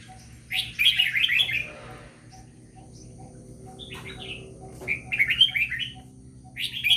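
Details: Red-whiskered bulbul giving lively warbled song phrases, quick chirpy notes in bursts with gaps between, a steady background hum and soft ticking throughout.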